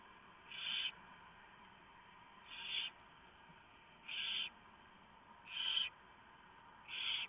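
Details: Nighttime barn owl nest, November 2015. The male brings a huge mouse and the female shreds it for the owlets. Five evenly spaced, scratchy hissing bursts, each under half a second, repeat about every 1.5 seconds.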